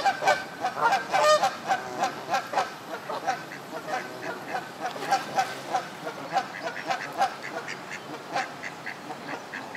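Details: Moulting Canada geese on a pond at Midhurst, West Sussex, England, give a steady run of harsh, nasal honks. The honks come roughly twice a second, with several birds overlapping at the start.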